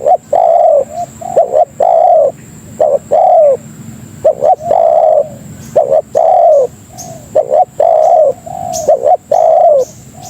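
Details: Lure calling of a spotted dove (tekukur), used for trapping and for tutoring birds: paired short hoots followed by a longer sagging coo, cycling steadily and loudly, with a thin high tone running throughout.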